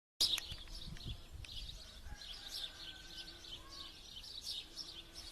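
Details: Birds singing at a pond near the village of Kokotovo, Kostroma Oblast: a dense mix of high, quick chirps and twitters from several birds, with a steady low hum, like a frog chorus, underneath.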